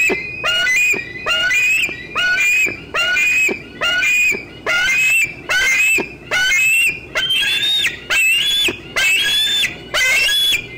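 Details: Young bald eagle squeeing at 4:45 pm on 25 June 2013 while an adult eats a fish in an old tree near the nest: loud, harsh, rising squeals repeated a little more than once a second in a steady series.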